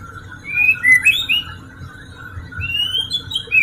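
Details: White-rumped shama singing as a lure for silent birds: a run of bright whistled slurs at the start, a pause, then a long rising whistle and a final clear note, with constant low hum behind.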